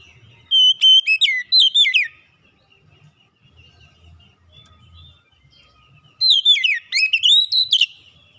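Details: Kacer lure song used to draw out quiet birds: two bursts of rich whistles and sharp up-down notes, each lasting about 1.5 seconds, separated by a four-second pause with faint low background rumble.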